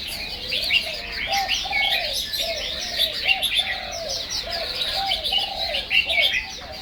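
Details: Chinese hwamei singing a rich, fast, high warbling stream of varied whistles and trills, while a lower, softer series of hooting, dove-like notes repeats steadily underneath.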